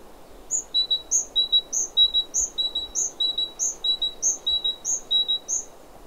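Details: A great tit sings its territorial song in France in early spring: a bright two-note phrase, high then lower, alternating rapidly like a squeaky seesaw.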